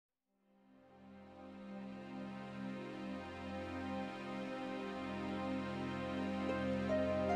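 Soft ambient music with sustained low tones swells gradually in loudness.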